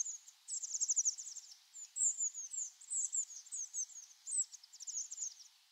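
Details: A Blue Tit flock on autumn migration calling: many thin, very high, rapid twittering notes in overlapping bursts, with no other clear sounds.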